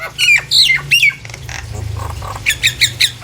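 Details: Singing Nias hill myna, played to make other hill mynas join in; piercing downslurred squawks, a soft buzzy stretch in the middle, then quick bright staccato notes.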